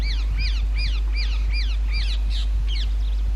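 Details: Rose-ringed parakeets nesting in old railway bridge holes during summer breeding season; a steady series of sharp, downward-arched screeching notes about every 0.4 seconds, ending in rougher squawks.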